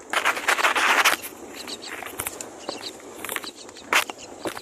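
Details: A mother myna feeds two chicks on the nest; the chicks give harsh, raspy begging bursts, a long grating run at the start and another near the end, with thin high chips in between.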